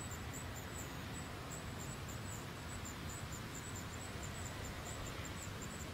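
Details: Steady low rumble of wind or distant traffic, with faint high chirping insects and no clear animal calls.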